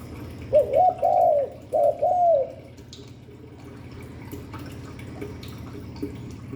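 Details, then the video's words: Spotted dove, Hạp Bổi voice style, gives two mellow cooing phrases of short note plus long arched coo in the first two seconds, then only low steady hum and faint ticks. "Tiếng chim cu gáy Giọng Hạp Bổi 38. Đủ bài THúc GÁY GỌI - GÙ HAY Kích Bổi Nhanh Nổi, Cu đất gáy"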